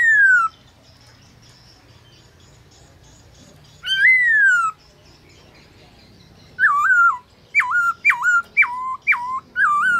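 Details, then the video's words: Captive black-throated laughingthrush singing its forest voice at midday for training: a falling whistle, silence, a rich slurred whistle near four seconds, then a rapid run of five or six sharp whistled notes. "Khướu bạc má HÓT BUỔI TRƯA cực hay , Luyện khướu bạc má hót cả ngày, khướu bạc má hót giọng rừng"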